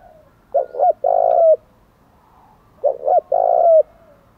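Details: Decoy spotted dove in the 'thổ' voice style, cooing intensely to provoke wild doves: two short low coos, then one long sustained coo, with the whole phrase given twice about two and a half seconds apart; quiet background.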